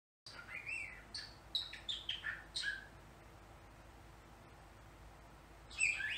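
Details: Pet bird at home, a female that learned the word "baby" from its owners, laughing to herself, saying her name and blowing air kisses: a run of squeaky chirped syllables and short sweeping whistles, then a pause and a final squawk.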